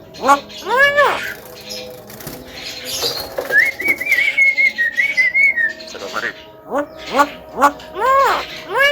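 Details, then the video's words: Javan myna calling with ringing arched notes, then a long, thin, wavering whistle held for several seconds, ending in a renewed run of arched harmonic calls. "JALAK KEBO VIRAL BURUNG BEO SAJA KALAH DENGAN SUARANYA"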